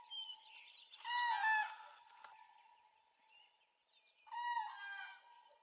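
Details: Common cranes calling at dawn on 3 April 2016: loud, rolling trumpeting calls in two bursts, the first near one second long and the second shorter, with faint small-bird chirps in the quiet between.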